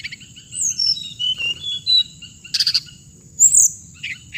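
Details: Song of the hồng hạnh: a few long slurred whistles descending in pitch, then a brief dense buzzy burst and a sharp rising note near the end.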